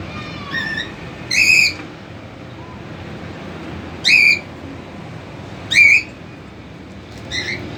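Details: Cockatiel family gathered at their cage, the father still feeding three chicks that are learning independence: sharp, rising whistled calls, four spaced a second or two apart over a steady background hum.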